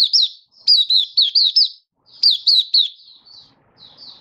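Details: Malaysian white-eye singing in captivity in Singapore, warm sunny weather, 20 March 2023: two loud bursts of four or five rapid, high, downslurred whistles, trailing into softer, fading twitters in a quiet setting.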